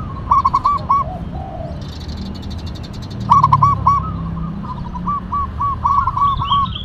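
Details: Local zebra dove of the Tumbak Cucukan katuranggan type, a very vocal bird: short cooing notes in quick rolling phrases with rich overtones, a brief burst early, then a longer run of repeated notes, over low rumbling background noise.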